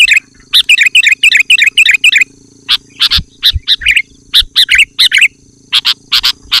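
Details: Sooty-headed bulbul delivering a loud, tightly packed song to lure wild birds: a fast bubbling run of warbled notes, then a long series of sharp, clicky bursts with brief whistled twists.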